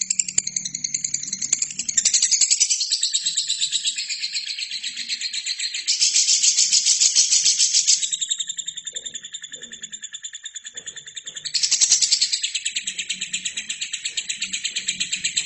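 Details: Lovebird singing steadily, recorded as a training track for other birds: a dense, shrill, buzzy chatter of rapid pulses, about three or four each second, swelling louder around six and twelve seconds, over a faint low hum.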